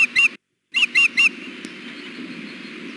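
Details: Female osprey at the Hellgate nest, 6 June 2016, begging her mate for fish in the afternoon heat: two chirps, a short gap, three more piercing whistles, then steady quiet background hiss.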